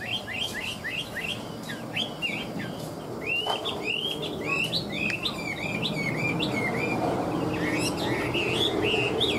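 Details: Chinese hwamei in ngũ trường song, a tame bird described as a good fighter: quick, repeated rising whistled notes delivered in a lively chatter over steady low background noise.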